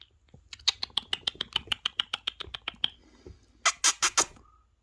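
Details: Rapid series of sharp clicking notes that slow slightly, from a pet parrot indoors beside a phone showing parrot videos, ending with a few louder harsh bursts over low background hum.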